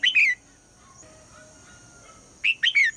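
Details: In the morning a female red-whiskered bulbul calls to get the male singing: a warbled phrase of slurred whistles opens, silence follows for two seconds, then three more rich, rolling notes over light steady hum.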